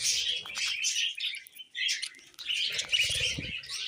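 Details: Pet budgerigar chatter comes in two bursts of rapid raspy chirps and whistles, separated by a short quiet gap, with faint low rustling.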